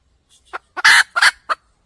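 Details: Red junglefowl hen cackle used for trapping: a couple of soft clucks leading into two loud, harsh, drawn-out squawks, the second cut into two parts, then one more sharp cluck, with no other sounds.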